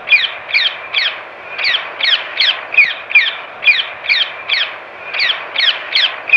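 Rose-ringed Parakeet giving harsh, high screeching calls, roughly two or three a second in an uneven run, with a faint background hum.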